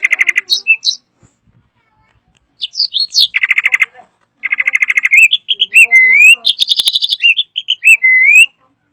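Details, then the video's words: Drongo song, loud and varied: bursts of rapid buzzy repeated notes, sharp high chips and clear whistles that bend upward, delivered in dense phrases separated by short pauses. "Kicauan Unik Srigunting Gacor Suara Kencang Bervariasi"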